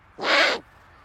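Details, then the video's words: Owl making a funny sound: a single raspy, hissing screech of roughly 0.4 seconds, broad and rough with a weak tonal band underneath, followed by quiet. "Funny Owl Sound"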